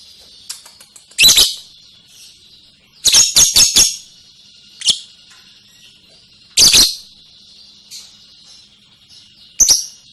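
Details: Lovebird ngekek song: loud scratchy chatter bursts, one a rapid four-part rattle, spaced a few seconds apart over a faint continuous high trill.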